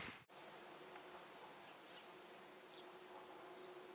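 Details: Masked wagtail fledglings, unable to feed themselves yet, call for food from their mother. Faint, thin high chirps come in small clusters against a steady low hum and soft background hiss.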